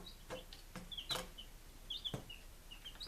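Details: Day-five chicks in Lunenburg, Massachusetts, 23 July 2017, peeping in short, high, falling notes, interrupted by sharp tapping knocks, likely pecking or movement.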